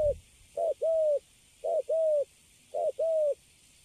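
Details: Spotted dove, a young bird caught wild and kept in a cage, gives Cấn Sấm coos: a brief note followed by a drawn-out even coo, three pairs spaced roughly a second apart in quiet surroundings.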